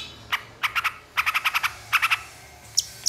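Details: Long-tailed shrike singing to provoke reluctant shrikes into song: sharp, clipped notes delivered in quick bursts of two to five, separated by short gaps, with a couple of thin high ticks near the end.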